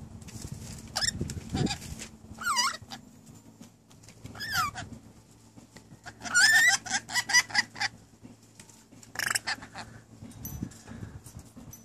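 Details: New pet rainbow lorikeets chattering and talking, reportedly saying things like "I'll cook it for you". Scattered bursts of wavering, warbled syllables and sharp squeaks alternate with quiet gaps over twelve seconds, with a low steady hum beneath.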